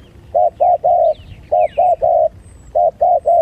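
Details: Spotted dove heard during a fight: low cooing phrases of three notes, two short then one longer, repeated three times with brief gaps; faint thin, falling whistles of other birds above.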